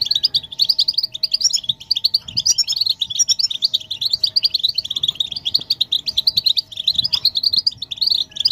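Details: Collective European goldfinch twittering and mating calls, used to get males singing. Quick, bright, repeated chirps pour out without pause, accompanied by a faint steady background hum.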